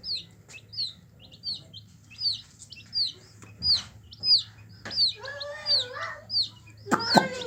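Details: Yellow hen chicks peeping steadily, a clear high falling cheep repeated about every half second, then a harsher lower wavering call and a loud broadband burst near the end.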